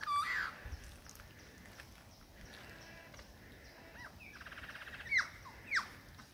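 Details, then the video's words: Male lyrebird in the Dandenongs singing a varied repertoire of songs and sounds to impress a female: a sharp rising whistle, scattered clicks, looping whistled notes, a rapid trill, then two loud downward-sweeping whistles, over soft background hiss. "lyre bird song recital"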